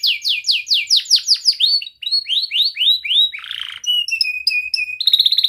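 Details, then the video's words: Young canary with a 'cuit cuit ngerol' rolling song, meant to train young canaries: rapid repeated downslurred notes, a harsh buzzy note, steady flat whistled pips, then a fine high trill. "Kenari Gacor Muda Rol Rapat Cuit cuit ngeroL 100% Terapi Ampuh kenari Paud belajar Bunyi"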